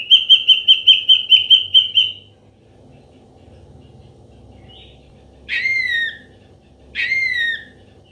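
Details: Ashy drongo in a natural recording used as a lure for trapping: a quick series of whistled notes, then a pause, then two loud, harsh, downslurred calls about a second and a half apart.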